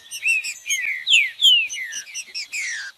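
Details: Green-winged saltator song, used by breeders to heat up a cold captive bird: bold downward-slurred whistles, one strong phrase after another, with a few short chips in between.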